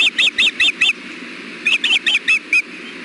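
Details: Osprey pair at the nest, the male handing the female bites of fish: two runs of five loud, shrill, slurred whistled chirps, closely spaced, with a steady low hum beneath.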